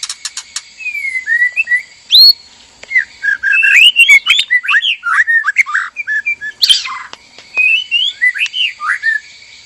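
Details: Captive breeding pair of white-rumped shamas, male and female, singing for mating: a flowing string of short slurred whistles, many dipping then rising, broken by a harsh rasping burst and scattered clicks.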